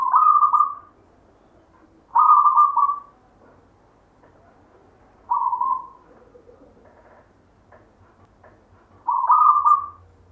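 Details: Zebra dove of local stock with a natural 'gayer' voice, inherited from a grandfather, repeating short mellow coo phrases four times at intervals of two to three seconds, each smooth and gently fading, background otherwise quiet.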